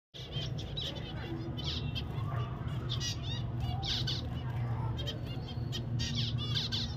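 Zebra finches give short, high, nasal chirps in quick bursts over a steady low hum.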